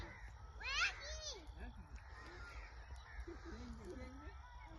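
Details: A blue Indian ringneck (rose-ringed parakeet, Psittacula krameri), a talking pet, gives one loud, harsh, harmonic squawk near the start, then low, wavering, speech-like mumbles over steady background hum.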